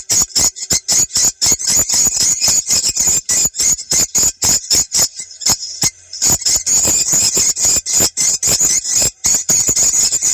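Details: Swiftlet sound for site testing in South Kalimantan, played on a phone or speaker to draw swiftlets. Rapid, shrill chirping pulses, close to four per second, with a brief lull around six seconds.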